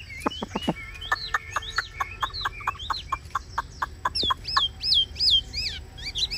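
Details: Captive Chinese hwamei giving ngũ trường style song, with rapid repeated clipped notes mixed with hooked rising whistles, turning into louder looping whistles near the end.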